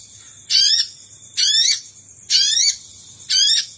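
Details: Sogon call used as a lure for wild birds: four rasping bursts of layered upward sweeps, roughly one per second, with a steady high whine in the background.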